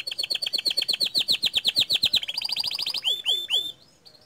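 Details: A canary sings 'gacor dor' song: a rapid rolling trill of clear high notes about six per second, then a quicker buzzier run, ending with three loud swooping whistles that drop sharply in pitch.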